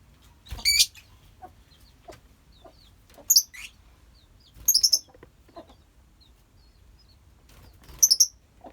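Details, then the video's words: Colony of lovebirds giving shrill, piercing chirps in short separate bursts about every one to two seconds, with faint ticks and softer chirps between them. "Love bird koloni bagus buat terapi love bird"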